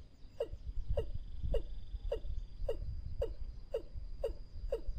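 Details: Watercock calls in a lure recording for trapping: ten evenly spaced, downward-sliding hollow notes about every half second, with a faint steady high hum and low background rumble.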